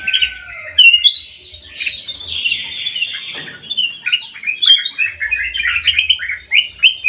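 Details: Bulbul singing energetically in an aviary: a long sweeping whistle, then a burst of buzzy chatter, followed by a string of quick, evenly spaced chirps, with a soft low hum in places.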